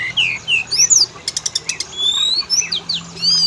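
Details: Lure song of the Oriental magpie-robin for making males and females sing: sweet descending whistles, a burst of sharp clicks in the middle, then long rising whistled notes.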